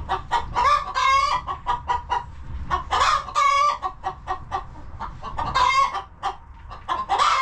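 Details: Coop hens on a homestead make dense, overlapping clucks and repeated loud squawking calls, loud and almost continuous throughout.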